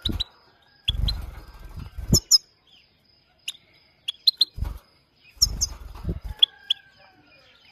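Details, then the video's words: Maike goldfinch from the Himalaya uttering brief sharp tweets, singly and in quick pairs, between stretches of rumbling low knocking and rustling noise, a thin steady whine running underneath throughout. "Maike gold finch singing | Maike himalayan beautiful bird sounds"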